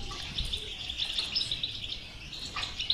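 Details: European goldfinch batbata song used to stimulate a silent goldfinch: soft, continuous high twittering with a few brighter chips, somewhat faint against background hiss.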